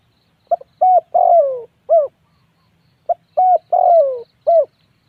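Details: Spotted dove repeats its cooing phrase twice. Each phrase is a short pip, a steady coo, a long falling note and a closing coo, separated by a pause of about a second.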